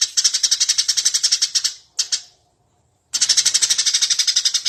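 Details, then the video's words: Eurasian tree sparrow chirping vigorously, used to train birds to sing: a long rapid string of sharp high chirps, a couple of isolated notes and a silent second, then another fast even run. "suara burung gereja gacor"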